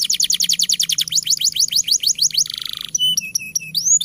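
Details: Gacor domestic canary master song for coaxing young and quiet canaries: very rapid repeated notes speeding into falling sweeps, a brief buzz, then chopped metallic notes and a rising whistle.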